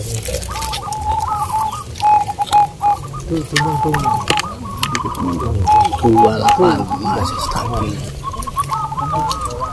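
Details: Contest birds at a local zebra dove singing competition in Bantul, Yogyakarta, Indonesia. They deliver bursts of quavering, bubbling coos, sometimes broken into clipped repeated notes with short gaps. Several singers overlap while a man announces numbers over background chatter.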